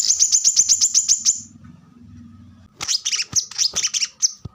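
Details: Plain-throated sunbird in 'tembakan rapat' style: a quick series of high ticking notes, a short quiet gap, then a burst of sharper, varied, slightly lower chirps.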